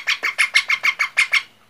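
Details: Baby parrot producing eight rough, scratchy notes spaced evenly at roughly six per second, each with a thin whistled edge, ending in quiet.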